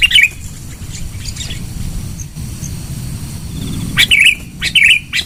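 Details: Sooty-headed bulbul, loud lure sound: after a stretch of low rumbling noise, a brief chirpy note at the start, then clusters of short warbled notes near the end.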